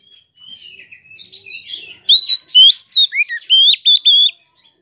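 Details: Oriental magpie-robin singing as a lure to provoke other birds: soft warbling opening, then a loud run of pure whistled notes, some level, some dipping, about eight in two seconds.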